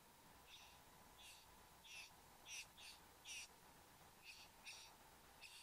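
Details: Satin bowerbird pair at the bower, Australia, 09:05 on 15 November 2014. Around ten scratchy buzzing bursts follow one another at uneven intervals, some louder, with a soft steady hum underneath.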